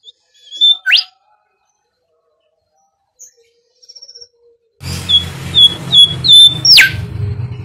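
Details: Bimoli song played as a lure for training birds: long level whistles with sharp upward sweeps, a few sparse notes at first, then rapid whistles over a steady low hum.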